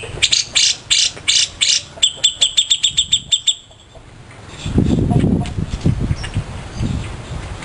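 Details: ['Grey-cheeked bulbul, a favourite master bird used to tutor other songbirds: five loud, ringing notes, then a fast series of sharp, metallic clicks about three per second. Low talking and rumbling noise follow after the calls stop.']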